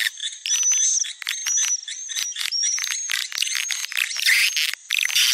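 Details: Calling sound for attracting swiftlets, popular in Sumatra: busy high chattering chirps in quick irregular bursts, with a thin whistled tone drawn across several of them and brief quieter gaps.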